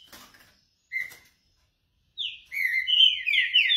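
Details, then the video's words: Green-winged saltator warming up: a lone whistle, a pause, then a strong, rapid phrase of loud, sliding whistled notes that runs to the end. "Trinca ferro"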